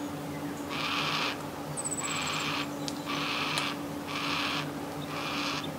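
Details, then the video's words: A young yellow-tailed black cockatoo begs its parents for food with harsh, rasping squawks, each about half a second long, repeated roughly once a second over a low steady hum, heard from a house window. "Yellow Tail Black Cockatoos"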